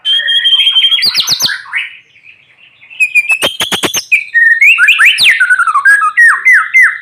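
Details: Morning-sunned white-rumped shama in full song, used to encourage reluctant shamas to sing; rich, rapid phrases of whistles, rattling clicks and sweeping slurred notes, briefly pausing before resuming with dense varied warbling.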